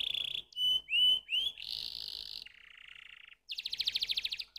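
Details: Canary singing a varied phrase: a steady high buzzy note, then rising whistled slurs, a harsh buzz, a lower flat trill, a short gap, and a fast rattling trill to finish.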